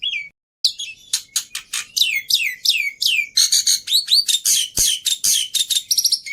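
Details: Lively black-winged myna song meant for luring and tutoring other birds, with full varied fill: a quick series of downslurred whistled notes running into buzzy, rapidly repeated chirps.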